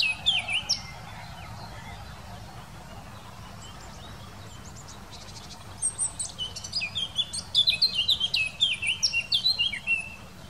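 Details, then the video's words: Eurasian blackcap singing, Wittlich valley, 2018: an opening warble, a long quiet gap, then a lively stream of flute-like whistles and twittering notes lasting several seconds. "Mönchsgrasmücke singt"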